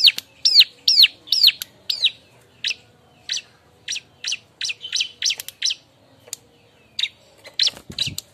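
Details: Bar-winged prinia looking for a mate, calling in rapid series: a run of loud down-slurred whistles, then shorter clipped high notes repeated roughly twice a second, ending with a brief low thump.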